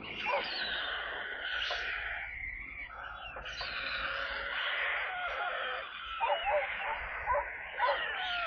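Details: Stork chicks on a nest in Kaluga Oblast, Russia, on 28 July, being brought water: a continuous hiss dominates, and a short burst of wavering mewing calls follows near the end.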